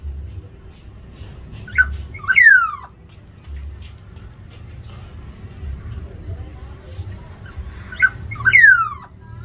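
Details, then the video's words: Black-naped oriole fighting over territory in an aviary; two bursts roughly six seconds apart, each a short note then a harsh, downslurred nasal squeal, with faint low rumbling between. "Pertarungan burung kepodang di dalam aviary"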